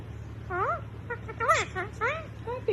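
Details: A yellow cockatiel talking like a human voice, possibly saying "hey, what are you doing", in a series of rising and falling speech-like syllables over a low hum.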